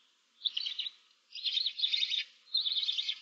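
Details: Barn owl owlets in a nest box holding seven chicks, 15 March 2024: three rough, breathy hissing bursts follow one another closely, the middle one longest and wavering.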